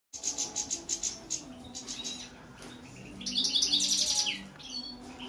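European goldfinch singing: a quick run of bright, tinkling twitters about four per second, then a dense burst of liquid trills and buzzy notes.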